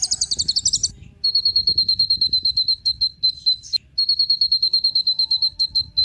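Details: Lure song of the kolibri ninja sunbird for other birds. It opens with a dense high trill and moves into long, even strings of rapid, thin, whistled notes on one pitch, broken by a sharp click.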